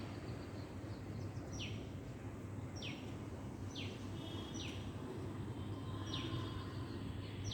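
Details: Hummingbirds repeat sharp, high notes that drop steeply in pitch, six calls roughly once a second, with a faint steady tone and a low droning rumble behind them.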